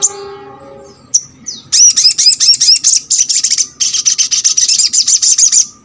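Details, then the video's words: A crimson sunbird gives a rapid, very high, thin chattering song in quick sharp bursts after a brief low hum at the start. "MALAS BUNYI ?? MASTERAN SOGON ( sogok ontong ) BAHAN AGAR RAJIN BUNYI"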